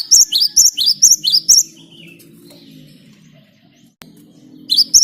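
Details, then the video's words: Great tit lure song in 'ngerol' style: a rapid string of piercing, high paired whistles, then a short lower slurred note and a low hum before the song restarts at the end. "Ngalas Ngerol Burung Gelatik Batu Gacor buat Pancingan"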